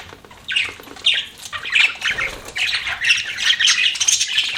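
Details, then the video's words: Budgies chattering in a chirping bout, rough squawky warbles and short twittery notes running almost without a break after a quieter opening. "BUDGIES CHIRPING SOUND"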